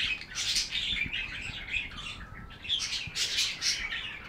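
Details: Continuous busy chirping from budgies, with rapid scratchy warbles and brief whistled squeaks layered into a near-constant high chatter.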